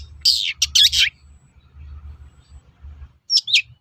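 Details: Long-tailed shrike song played as a lure to get other shrikes to answer: a burst of harsh, scratchy high notes, a pause with low background rumble, then two more short high phrases.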